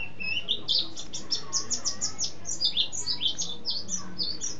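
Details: Mountain white-eye, a bird whose repertoire holds canary and sparrow imitations, delivering rolling ngeroll song: a brisk string of high, clipped whistles and chirps, roughly four per second, steady throughout.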